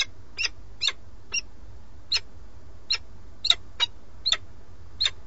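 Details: The male of a nesting peregrine falcon pair in Alcalá de Henares, Spain, brings a starling and calls for the female, who stays away. Around eleven grating, staccato notes in about five seconds at an irregular pace, low hum behind.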